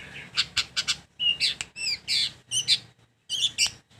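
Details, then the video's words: Long-tailed shrike delivering varied song: quick harsh notes, a few pure whistles and short downslurred phrases. Bursts come roughly once a second, with a silent gap near the end. "Ocehan Burung Cendet"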